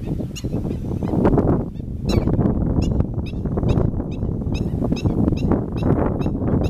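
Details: Black-winged stilt calling in a steady series of short, harsh, yelping kek notes, spaced roughly a third of a second apart, with heavy low-pitched wind rumble beneath.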